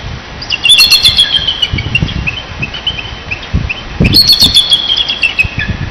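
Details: Wild bald eagles on Hornby Island call to each other in the morning from near their nest, picked up by a nest webcam. Two bursts of thin, high, rapid chittering notes trail downward, over a low background rumble.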